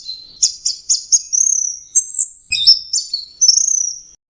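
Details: Anis merah, the orange-headed thrush, a prized songbird: four crisp high notes open the phrase, followed by rapid buzzy trills, a high slurred whistle and further chattering, trilled elements in a continuous stream.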